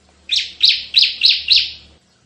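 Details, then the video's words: Five sharp, high, falling notes delivered rapidly by a Bar-winged prinia (ciblek) in 'tembakan' style, for luring and bird tutoring, with a faint low hum underneath. "Masteran suara tembakan CIBLEK GACOR untuk pikat dan masteran"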